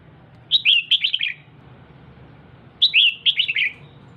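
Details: Captive female red-whiskered bulbul exciting the male with two matching phrases of quick, bright, slurred chirps, a little over two seconds apart, with low hum underneath.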